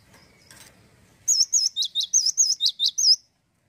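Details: Male cinereous tit singing in full, continuous 'gacor lossdol' style, without added sweeteners: about ten loud, high whistled notes in quick succession, wavy slurred whistles alternating with sharp downward strokes, after a quiet start with faint rustling.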